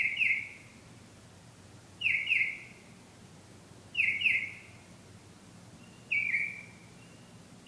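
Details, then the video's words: Bird singing at night, the singer described as returning and singing love songs; short downslurred whistled notes, doubled or single, repeated roughly every two seconds, over quiet background noise. "Bird pt 2"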